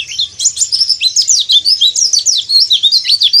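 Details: Dakbal-style calling of a white-eye in breeding condition, challenging rivals: a fast, unbroken stream of loud, high, sharply slurred chirps, pulsing several times per second throughout.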